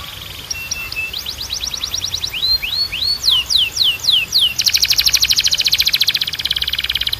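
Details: Canary training song: a low held tone, a run of quick falling notes, a few rising whistles, longer downward sweeps, then a long, dense, buzzy high trill to the end.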